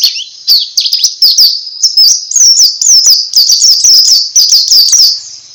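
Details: White-eye in full ngalas song, used as a prompt for other pleci: continuous high twittering with sharp down-slurred notes repeated several times a second.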